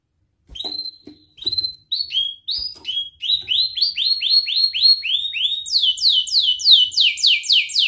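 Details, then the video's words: Canary training song for young birds learning to sing: clear whistled notes near the start, then a run of rapid repeated upward-sweeping syllables, ending in a fast series of higher descending slurred notes. "Kenari gacor NGERIK Cuit Cuit Ngerol nembak - Pancingan kenari paud belajar bunyi"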